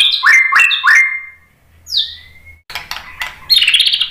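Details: White-rumped shama lure song: three quick rising-falling whistled chirps, a pause with a soft upward slur, then a dense burst of sharp notes and a high, buzzy trill at the end.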